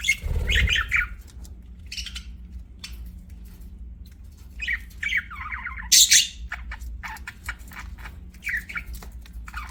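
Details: Chirping budgerigars give scattered warbling phrases and clicks, with a loud harsh squawk burst around the middle and a low thud at the start, over a steady hum.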